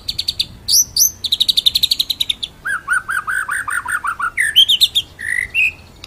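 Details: White-rumped shama master song, 'ngeroll nembak' style for training other birds: a fast steady trill of high notes, then a run of lower warbled notes, ending in rising whistles and a drawn-out whistle.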